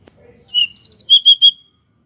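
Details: Local pied bushchat singing loudly with wings spread, used to provoke other birds into song: one short phrase of six clear whistled notes, a lower opening note, two higher slurred notes, then three even lower notes.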